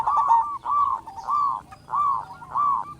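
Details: Local zebra dove with a big voice, used to provoke other doves into song and arousal, gives five short rolling coo phrases in quick succession, each a tight burst of stuttering notes.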